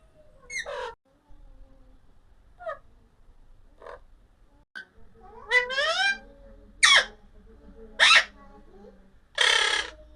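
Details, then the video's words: Alexandrine parakeet chirping: separate harsh, ringing calls that slide downward, spaced every second or so and growing louder toward the end, in a quiet room. "Amazing Parrot Chirping Sounds Alexander parrot talking video"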